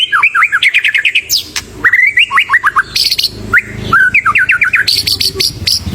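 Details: Vigorous, varied song of a white-rumped shama, used to lure other birds: fast trills of upward-sweeping whistles, swooping slurred phrases and high bright notes, against a constant low hum.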